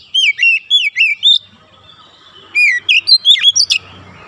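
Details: Oriental magpie-robin training song for young birds, in two dense phrases of looping whistled notes and sharp chips, separated by a pause of roughly a second, over quiet background hum.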